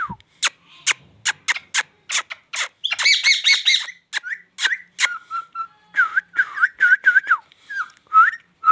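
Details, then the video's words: Talking Indian ringneck parrot: rapid clicks lead into harsh buzzy squawks, then a string of wavy, dipping whistled syllables in a chattering, speech-like rhythm with more clicks between. "talking I•ndian |king| Parrot"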